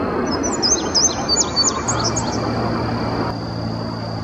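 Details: A male Indigo Bunting in early May 2019 at Sandy Bottom Nature Park, Virginia, sings from a treetop a quick two-second run of high, sweeping notes, many paired, over a thin whine and low hum.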